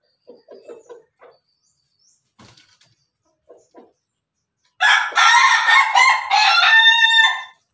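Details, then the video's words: Pelung Bangkok cockerel eating together with hens. Soft, scattered clucks and pecking come first, then a loud, raspy crow about three seconds long with a wavering middle and a cut-off ending. "ayam pelung Bangkok makan bersama ayam babon, suara ayam ketawa berkokok"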